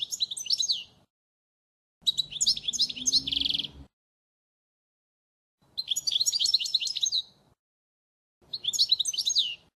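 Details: Goldfinch model song for schooling young birds, four bursts of quick jangling twitters separated by pauses of one to two seconds, one burst closing with a dense buzzy trill and a faint low hum beneath.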